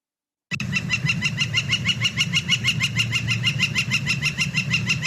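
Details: A Northern Flicker near Boise, Idaho gives its very loud, far-carrying call, a level run of ringing notes about four per second, over a low steady hum; finding: Northern Flicker.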